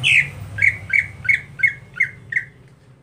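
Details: A captive greater green leafbird in its daily, monotonous song opens with one harsh, rasping note, then gives six short, squawky chips on one pitch about three times a second, with a faint low hum beneath.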